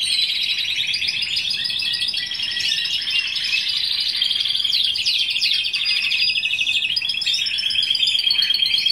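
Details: Timbrado canary, bird number 269 from 2015, sings a continuous, loud rolling song of rapid trills and rattling pulses, shifting between high metallic tones without pause.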